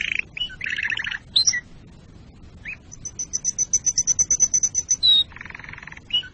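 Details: Singing canary, a song meant to ready birds for mating and tutor chicks; rolling low trills and quick slurred notes, then a steady series of high pulsed pips and a dry rattling trill.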